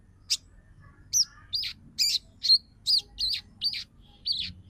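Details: Female crimson sunbird calling to a male, chattering call used as a lure to make males sing and come into breeding condition; sharp high chirps repeated roughly every half second, several with a slurred downward twist.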